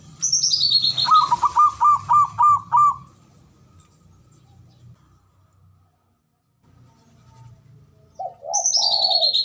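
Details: Ngoar manggung call of a male zebra dove, used to rouse mating drive: a fast string of six clipped, repeated cooing notes, followed by a pause. A high, falling whistled series from another bird opens and closes the recording.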